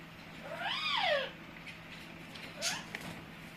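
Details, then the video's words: Pet Amazon parrot making a funny noise: one loud, arched, whistle-like call that rises then falls, followed a second later by a fainter short call and soft clicks, with a low steady hum underneath. "My Amazon parrot Hecko is making funny noises"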